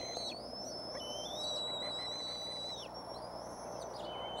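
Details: Bald eagle chicks at a Decorah nest on 06-03-2015, around 5:45 pm, waiting for a parent to bring food; long, high, thin whistled squeals overlap, some held level and others bending downward, over a steady low background hiss.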